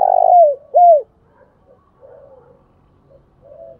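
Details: Tail end of a spotted dove coo: the end of a rolling burr, then one arched, falling hoot, followed by quiet, faint low murmurs.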